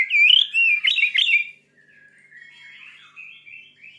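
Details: Aggressive white-rumped shama singing, intended to excite other shamas: a burst of loud looping whistles and harsh chips in the first second and a half, followed by a soft, thin continuous warble.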